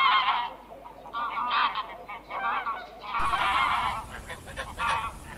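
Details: Goose honks in overlapping harsh bursts, the background shifting partway through to a louder, hissier noise while the nasal calls continue.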